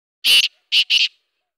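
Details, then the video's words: A Black Francolin morning call: a loud, harsh, grating phrase of three scratchy notes, one longer note then two quick ones together, all within about one second. "کالا تیتر کی خوبصورت اواز کالا تیتر کی صبح کی آواز"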